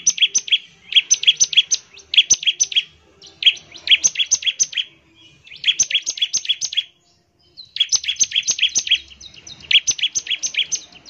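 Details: Energetic bar-winged prinia song used to get other prinias singing, with long runs of rapid, bright, high-pitched chips grouped into repeated bursts separated by brief pauses.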